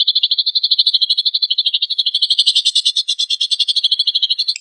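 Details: Lovebird song for provoking other lovebirds, with harsh burst-style material: a rapid stream of high buzzy chattering notes, growing louder and rougher in the middle before settling back into a steady trill.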